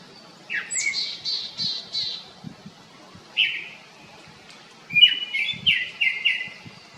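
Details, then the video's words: Japanese thrush singing: a rising whistle followed by a series of repeated, slightly falling high notes, then a short phrase and another run of four or five repeated whistled notes. "クロツグミの鳴き声Turdus cardi's cry"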